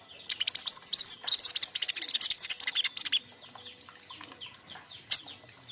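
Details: King konin chirping, used as a lure and master sound for young birds: a dense burst of fast, high, sharp chirps and twittering notes for about three seconds, then quiet with one late sharp note.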